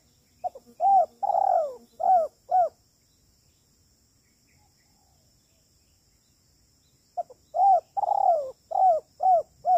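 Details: Two spotted dove kuk 3 phrases recorded for trapping. Each has quick stuttering lead-in notes, a long sliding coo and then clipped arched coos. A quiet gap of several seconds separates the phrases.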